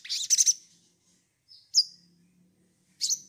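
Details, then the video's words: Sunbird in a lure recording meant to prompt birds to sing: a burst of high, thin twittering, then a sharp downslurred chip and another short twitter after a pause, with faint low hum beneath. "pancingan sogon bahan agar bunyi"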